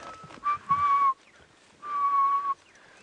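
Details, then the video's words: Grey-headed bushshrike, called a ghost bird for calling incessantly in misty forest mornings, gives two long, mournful, level whistles, each under a second, amid a bird party's faint chatter; early-morning drive at 6:30 AM, 16 July 2016, Djuma Game Reserve. "I can hear a grey-headed bushshrike. You should be able to hear that."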